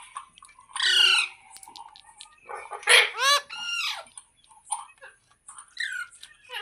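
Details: Green parrot calling with natural sounds: a long harsh screech, then a pair of loud raspy squawks, followed by softer chirps and a short whistled note.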